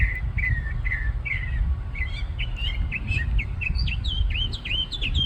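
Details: Bird atop a parking-lot tree pouring out a varied song: a few lower slurred notes at first, then a rapid string of higher, rising and falling chirps, with a persistent low traffic hum beneath.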